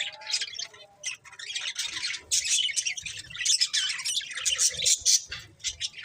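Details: Budgerigars chirping in a dense, continuous stream of high squawky warbles and chatter, overlapping notes with scarcely a pause across the clip.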